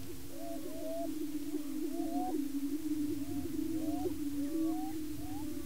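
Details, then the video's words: Several male Greater Prairie Chickens displaying and fighting on a lek in Washington County, Kansas, to establish breeding territory, giving a steady, low, hollow booming drone overlaid with short rising and falling whoops and cackles. "Greater Prairie Chicken"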